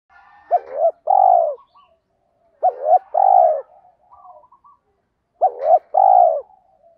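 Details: Spotted dove contest-style coo played to stir wild doves into answering: three phrases about every 2.5 seconds, each a looping double note then a long falling coo, with soft twittering between them.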